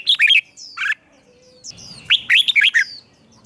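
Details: Red-whiskered bulbul morning training song in the 'ché' style: rich, rolling whistled phrases with a drawn-out thin tone between them, ending in a fast, bright flourish of notes.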